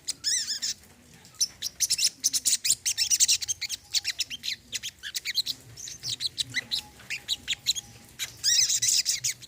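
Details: Brown-throated sunbird heard in a therapy recording for a bird that has gone quiet: long runs of sharp, high chirps and twitters in quick succession, with short pauses between bursts.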